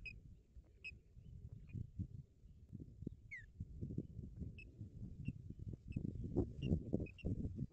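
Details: Osprey calling at a nest in Barlinek Forest on 17 April 2022 during a visit by an intruding osprey: short high chirped notes repeated at uneven intervals, one downslurred whistle, over steady low rumbling background noise.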